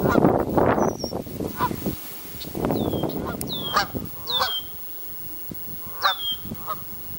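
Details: Canada geese in family groups give a run of harsh, nasal honks in uneven bursts, mixed with broadband rustling and splashing noise and a few thin, high, downward-curving calls.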